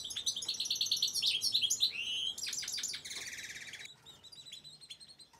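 A fast, high, tinkling twitter of liquid notes and short trills, breaking into a dry buzzy rattle, then softer scattered chips. No other sounds are heard.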